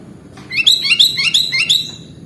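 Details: Sooty-headed bulbul in gacor masteran song: an energetic run of sweeping, up-and-down chirped notes, about seven in quick succession over roughly a second and a half, high and clear against a faint low background hum.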